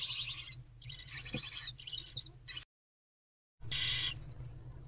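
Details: Barn owl owlets in Owl Box C before dawn, 11 February 2024, while the mother rests elsewhere; two rough hissing bursts separated by a sudden silent gap of about a second.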